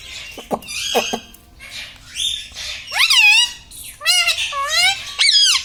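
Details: Pet parrot that says 'mummy', 'papa' and 'radhe radhe'. A few low, voice-like syllables come first, then loud harmonic squawks and warbled, wavering phrases that rise and fall, indoors.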